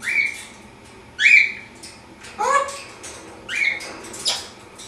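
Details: Caged African grey parrot at morning exercise, flipping about while giving a series of clear rising whistles and squawky notes roughly once a second, with a soft indoor hum behind.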